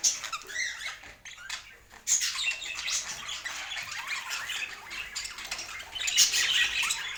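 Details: Budgerigars kept indoors, chattering while eating food: a dense, continuous wash of overlapping high chirps, squeaks and scratchy warbles, with no clear pauses and no music.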